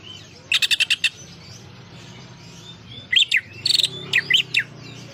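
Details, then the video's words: Greater green leafbird song with prinia song mixed in: a fast rattling burst of five sharp notes, a pause, then a series of loud sweeping whistled and chattering phrases. "cucak ijo gacor isiannya burung prenjak"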